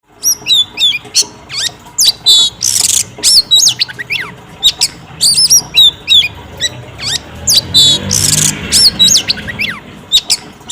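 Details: Female Oriental magpie-robin singing to provoke a male, used as a training lure; loud, varied bursts of high whistles, sweeping slurred notes and harsh rasping chatters in rapid succession, several phrases per second with short gaps.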